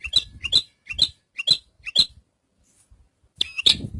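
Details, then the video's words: Javan bush lark: a run of five short, sharp chirps about every half second, each a quick descending chip, then a pause and a louder, fuller burst of notes. "Suara Burung Branjangan"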